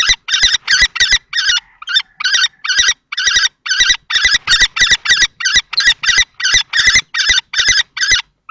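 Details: Common kestrel males clash at a nest box in Théding, France, 20 March 2024, an adult male against a juvenile-plumaged young male. Rapid, evenly spaced shrill notes run in a long unbroken series, with faint knocks beneath.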